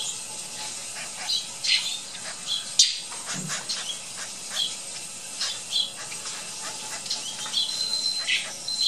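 A young flicker gives rough, buzzy chittering bursts, high-pitched and irregular, several every second or two, over a steady high hiss.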